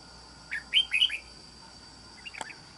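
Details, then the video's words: Recently wild-caught red-whiskered bulbul kept as a trap bird, said to have a good island-forest voice. It gives one quick phrase of three or four bright, slurred whistled notes, followed by a sharp click and a faint chirp over a steady hiss. "Bẫy Chào Mào. Mau Mỏ . Bung Xoè.Gốc Mào Cao Dày . Giọng Rừng Đảo Tốt"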